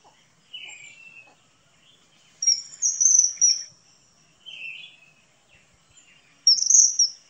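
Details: Common kingfisher uttering a few piercing high whistles in short bursts, separated by pauses. Softer, lower chirps from another bird sound in between.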